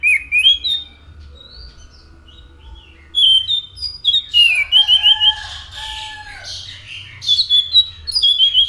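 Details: Anis macan thrush singing: repeated bursts of high, sweet whistles with quick slides and trills, about three notes a second, with some fainter background chirping.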